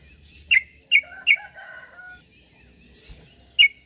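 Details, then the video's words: Sooty-headed bulbul giving a call meant to draw answers from other bulbuls: four short, bright chirped notes, three close together then one later, with a faint steady high hum behind. "Suara pangilan burung trucuk.semua trucuk pasti nyaut dengar suara trucuk ini"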